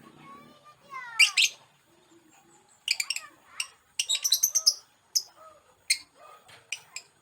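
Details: Separated from its mate, a panicking male lovebird lets out descending whistled notes, then loud clusters of piercing, high chattering shrieks and scattered sharp single squeaks, with faint speech early on.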